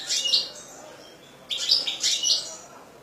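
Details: European goldfinch from a hobbyist's collection sings in three separate bursts of sharp, high chirps and twitters, with a short pause between the first and second bursts.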